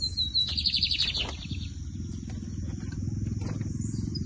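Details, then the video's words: Lined seedeater (bigodinho) singing in a song competition during the 2023 season: a whistled note followed by a rapid trilled phrase, then fainter chirps over a steady low hum. "Assistam o bigodinho Camelão x Torneiro Temporada 2023"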